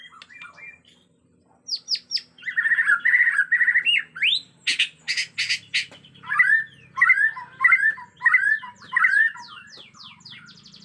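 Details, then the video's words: Agitated white-rumped shama from Borneo; rich whistled song with rapid high buzzy bursts, then a run of rising, slurred two-part phrases repeated about once every half second, with faint low hum behind. "Murai Batu Borneo Ngamuk suara asli hutan"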